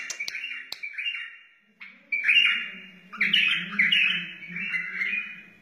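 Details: Wild white-eared bulbul singing: bright warbled phrases with rich slurred notes, separated by a short pause, then longer tumbling bursts, over a faint low steady hum.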